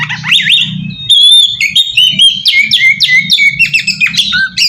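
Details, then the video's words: Oriental magpie-robin song used as a lure to draw untrained magpie-robins into answering. Rich, varied phrases of sliding whistles and sharp chirps, fast and irregular, over a faint low hum. "suara pacingan burung kacer ampuh!! buat mancing kacer bahan dijamin langsung nyaut"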